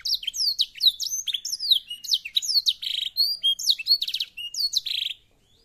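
Black-throated canary singing a fast, continuous jumble of high whistles, sweeping slurs and buzzy trills for about five seconds, then stopping.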